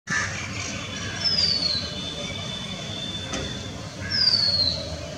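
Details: Oriental magpie-robin (Copsychus saularis) calling: two thin, high whistles that slide downward, about three seconds apart, over a steady low rumble of background noise.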